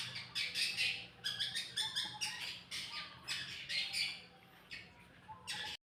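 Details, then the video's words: Lively masteran birdsong meant to make other birds reply, made of rapid runs of scratchy, high chattering phrases broken by brief pauses, over a low constant background hum. "Burung masteran super heboh yang lain pasti nyaut"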